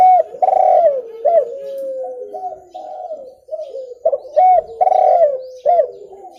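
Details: Spotted dove, recorded cleanly for luring birds: strong repeated coo phrases with rising-and-falling hooked notes and a trailing low tone, about two phrases in the clip.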